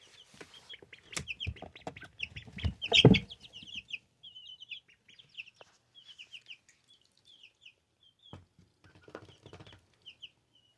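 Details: Two-week-old pet ducklings giving a run of thin, high peeps, short and rapidly repeated, some rising slightly, with dull thumps and scuffling around the third second and quieter peeping later.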